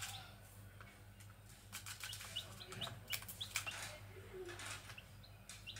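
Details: Wild Grey junglefowl chicks: short, high, thin peeps, often rising, scattered irregularly several times a second, with soft clicks and rustles and a steady low hum beneath.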